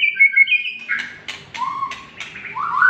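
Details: White-rumped shama singing a short varied phrase: high whistled notes, then quick sharp clicks and chips, and low rising slurred whistles near the end.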